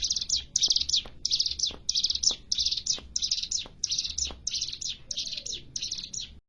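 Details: Varied song of a hill prinia, locally called cigun or ciblek gunung: short clustered phrases of high, scratchy chirps, about one phrase per second, with small clicks between them and a faint low hum.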